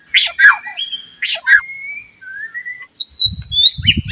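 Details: White-rumped shama in the morning, sung to stimulate other shamas: harsh sweeping notes alternating with long thin whistles, rising toward the end, with low thumping noise near the close.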